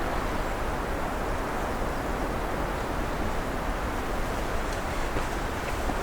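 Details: Steady broadband wind rush fills the recording throughout, with no birds or other animals audible.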